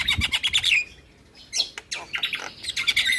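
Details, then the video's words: Dense chattering of a Javan myna lure song with fill-in phrases, a fast rattling burst, a brief pause, then scratchy squeaks and chirps. "Semua Burung Jalak Seketika Nyaut Dengar Pancingan Jalak kebo Full Isian Ini"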